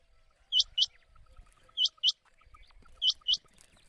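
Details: Quail lure call for night use in the Sawani season, played to attract quail for hunting: sharp high upslurred notes given in pairs, each pair about every 1.2 seconds, with faint low rumbling and soft ticking behind.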